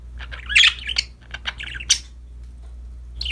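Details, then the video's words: Happy budgies with a new toy mix a loud scratchy squawk with quick twittering warble notes and high chirps, then fall quiet before one more harsh call at the end. "Happy budgies chirping for lonely birds, singing, playing with a new toy"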